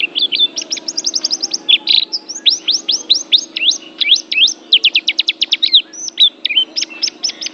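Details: Loud white-eye song: a continuous rapid chatter of high, sharply dropping notes in quick trills, with brief whistled slurs, over a faint low hum.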